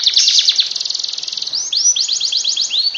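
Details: Canary in full song, used to prompt lazy canaries to sing, opening with a dense, fast buzzy trill, then a string of rising whistled notes repeated about four times a second.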